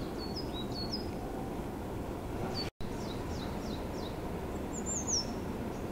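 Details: Eurasian treecreeper song in the Hokkaido University research forest, Tomakomai, Japan, at first mistaken for a Japanese white-eye: faint, very high thin notes in quick descending runs, a short dropout, then a sharper high trill near the end.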